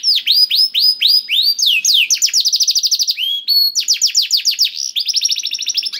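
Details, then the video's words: Singing canary, used as a prompt for a reluctant bird: fast sweeping downslurred notes, then tight rapid trills and steady whistled tones, switching phrases continuously at high pitch in a clean recording. "PANCINGAN KENARI SUSAH BUNYI AUTO NYAUT GACOR TANPA HENTI || VOICE OF CANARY"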